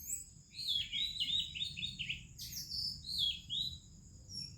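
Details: Oriental magpie-robin singing in the morning in India among other birds: rapid run of melodious whistled, warbling notes, then a sharp descending slur and a few more sweet phrases, over a steady high insect hum.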